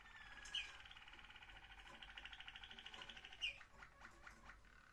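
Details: Waterslager Malinois canary, recorded 21 December 2025, sings a low, rolling, bubbling trill lasting about three seconds, with a few sharp clicks and soft tapping sounds around it.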